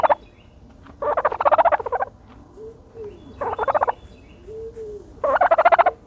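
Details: Turkey dust bathing, with three loud bursts of rapid rattling pulses alternating with soft, low, rising-and-falling tones in the pauses.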